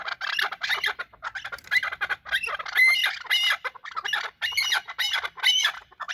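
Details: Chukar partridges fighting with harsh, raspy squawks in broad bursts, higher and noisier than plain clucks, repeated in uneven groups.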